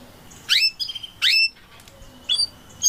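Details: Canaries, parents with their chick, giving a few sharp separate rising chirps with short pauses between them over a quiet background.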